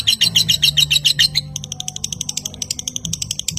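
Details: Lovebird ngekek training recording: a burst of quick high chirps for just over a second, then a thinner, higher series of rapid ticking notes, with a low hum underneath.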